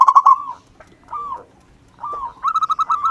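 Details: Zebra dove, local and wild, in song: a loud quick cooing burst, two softer drooping coos, then a fast pulsed run of evenly spaced notes.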